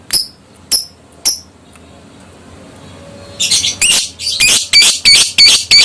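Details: Adult fighter lovebird's ngekek, meant to make other lovebirds respond: three spaced sharp upswept chirps, then a fast, steady chattering series of harsh shrill notes about three per second, growing louder.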